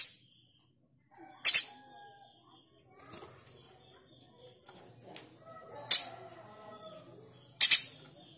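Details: Male streaked spiderhunter, a lively singer kept as a master bird for tutoring murai batu, cucak ijo, kacer and other songbirds, gives rough 'shots': four harsh, broadband double-noted bursts at irregular intervals over faint background murmur.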